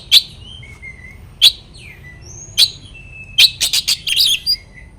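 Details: Oriental magpie-robin singing to make rival birds emotional: sharp loud chips every second or so alternating with clear sliding whistles, ending in a quick burst of rapid notes.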